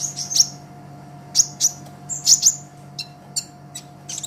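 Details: ['Lively olive-backed sunbird song for training songbirds: separate bright, high chips and brief sweeping whistles in small clusters, with short silences between them, over a quiet steady hum.']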